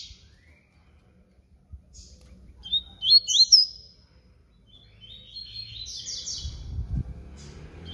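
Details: Papa-capim seedeater of the baiano type giving a flute-style song. Quick high whistled phrases come in two bursts, one of them short and sharp and the other more drawn out, with low background rumble and a thud near the end.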